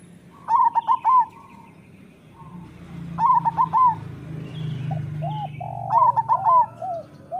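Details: Zebra doves (perkutut lokal) singing actively: three loud, quick, bouncing coo phrases about two and a half to three seconds apart, softer coos after the last, over a low background hum.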